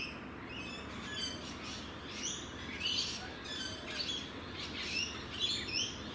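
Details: Rainbow lorikeets in Australia: a run of sharp, squeaky chirps and short screeches, high-pitched and overlapping, coming in bursts roughly every half second to a second over a steady soft background hiss.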